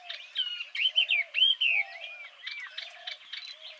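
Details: Yellow-eyed babbler singing a rich, varied warble of slurred whistled notes rising and falling, several loud phrases in the first two seconds, then softer chattering notes, with faint low murmuring notes underneath.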